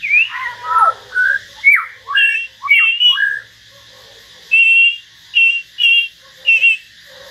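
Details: Common hill myna, caged, singing solo alongside a white-rumped shama: loud clear whistled phrases, falling and rising slurs, then a run of four short buzzy doubled notes spaced under a second apart.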